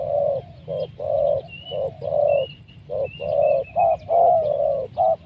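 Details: Spotted dove, a big-bodied bird kept for its deep voice, giving a steady run of low, hollow coos in short and longer notes, with faint high thin chirps from other birds in the background.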